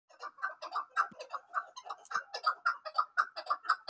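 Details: Female chukar partridge calling: a steady run of short, clucking chuck notes, about two per second, fairly even in loudness and spacing, with no other clear sounds.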